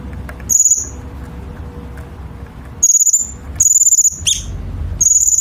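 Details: Chinese bulbul song used for training competition birds: short high buzzy trills in separate bursts after a quiet pause, one sharp downslurred chirp among them, with a soft hum in the background.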